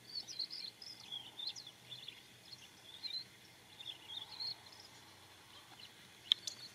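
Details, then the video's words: Immature white-crowned sparrow singing a rambling run of short, high chirped and twittering notes in loose clusters, varied in pitch and pausing irregularly, with a sharp click near the end over steady background hiss. "Immature White-crowned sparrow's song"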